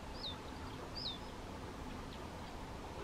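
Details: Common sandpiper at Wyver Lane giving thin, high, down-slurred whistled notes, two clear ones about a second apart and a fainter third, over a steady low rumble.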